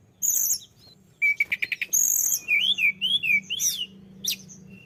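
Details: Tledekan gunung singing vigorously, used as a lure to stimulate other birds: very high sharp notes, a rapid stuttering burst, then thin rising-falling whistles and a final sharp note over low background hum.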